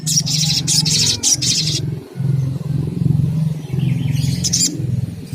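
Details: Sunda coucal, known locally as sogon or sogok ontong, offered as stimulation to provoke calling: deep, low pulsed hooting in long rapid bouts, with a pause near the middle, and high chirping from other birds early and late.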